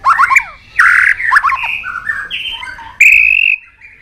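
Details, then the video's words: White-rumped shama, excited into fighting song while flicking its tail on its perch, in training to sing competitively. Clear, varied whistled phrases with rapid downslurred notes, bursts of harsh buzzy noise, and a long, steady, high whistle near the end. "Chòe Lửa Đánh Đuôi Sàn Cầu Kích Lửa Hót Căng. luyện Chòe lửa hót đấu."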